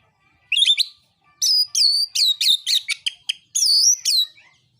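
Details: Oriental magpie-robin delivering fighting song to provoke rivals; a lively, rapid series of loud whistled phrases, several sliding downward, interspersed with sharp clicking notes, on a clean quiet background.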